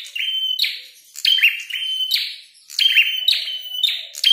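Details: Red-headed prenjak singing while fighting: long flat whistled notes, each ending in a rough buzzy burst, given in three grouped phrases with short pauses between.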